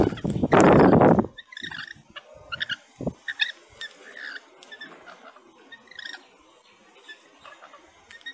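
A loud, harsh screech opens, followed by scattered shrill, chattering notes from lorikeets, several a second, over a faint background hiss.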